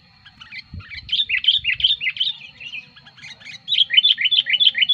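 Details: Lure song of a sooty-headed bulbul, made for attracting wild bulbuls and for tutoring: a long, lively chatter of quick bubbly whistled phrases, fading briefly mid-way and then resuming in a rapid, rolling run.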